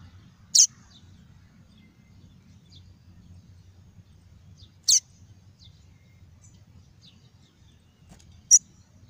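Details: Double-collared seedeater singing in the pure tuí tuí style, played to warm up caged birds and tutor young ones: three sharp, very high chirps, each a split second long, spaced about four seconds apart over faint low hum.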